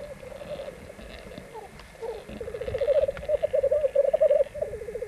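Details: Rackelhahn hybrids, black grouse crossed with capercaillie, three males fighting on a black grouse lek in Landvik, Grimstad, Norway, May 1994; soft bubbling builds into a louder, fast run of rolling pulsed notes.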